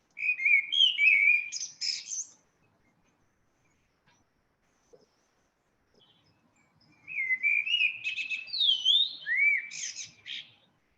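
A Eurasian blackbird sings two rich, fluty warbled phrases a few seconds apart, each breaking into a higher, scratchy twitter at the end.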